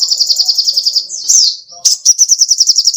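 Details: Sogoh ontong songbird singing energetically, used as a training recording for songbirds: a fast high-pitched trill of rapid repeated notes, broken by a short sweeping note and a brief pause before the trill resumes.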